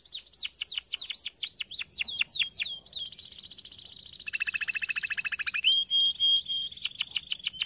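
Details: Canary song for training: repeated downward whistled sweeps, then rapid high rattling trills, a lower buzzy trill, and a clear held whistle before more sweeps.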